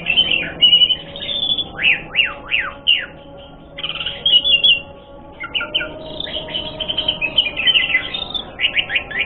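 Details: Asian pied starling song used to provoke fighting: repeated sharp downslurred whistles and chattering bursts in a lively varied sequence, with a faint low steady hum beneath.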